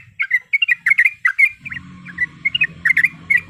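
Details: Calling female yellow-vented bulbul in breeding mood, played to provoke a rival male: bright, bubbly double and triple chirps in close bursts, with a low hum joining halfway.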